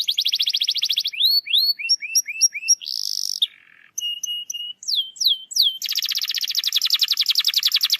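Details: Canary song to provoke a lazy canary into song: fast trill, rising slurs, buzzy rattle, thin flat whistles, downward sweeps, then a long dense rolling trill.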